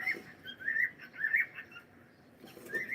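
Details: Rippling, fluty whistles from a pet cockatiel run in a wavering melodic string, pausing briefly before a final rising note.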